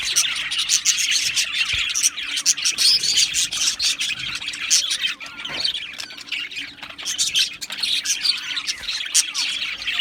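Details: Continuous squawky chatter from many caged Australian budgerigars in a colony, high rasping chirps and squeaks overlapping throughout with no pauses.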